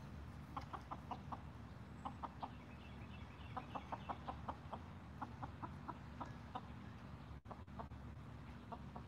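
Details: Golden Comet chickens, six hens in a backyard flock, having an evening watermelon snack; soft short clucks repeated in loose bursts over steady low background rumble.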